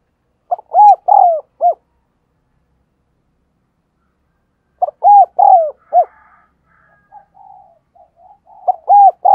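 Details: Spotted dove acting as a decoy, giving insistent coos to make other doves call: two full low four-note phrases and the start of a third, smooth rounded notes, with faint soft murmurs in the pause.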